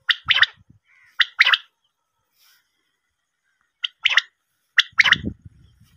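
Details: Female common quail call for hunting: a few sharp, clipped double notes in spaced bursts with long silent gaps and some low rumbling noise near the end.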